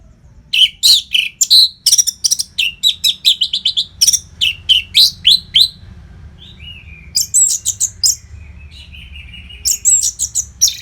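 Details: Fast, unbroken orange-headed thrush song, a tutor recording for training contest birds from Singaraja, Bali: rapid high chirps and twittering notes at about three or four per second, with a brief gap of softer slurred whistles midway.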